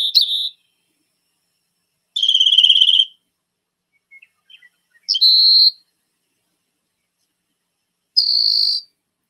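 A Rock Wren sings four high, buzzy trilled phrases, each under a second long and spaced a few seconds apart, with a few faint ticks between them.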